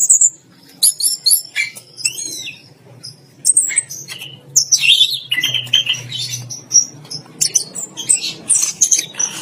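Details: Caged orange-headed thrush in a bathing cage, singing in 'teler gacor' style while bathing: bursts of high, varied whistles and chattering notes, some rising and falling, separated by short pauses, with faint low background hum.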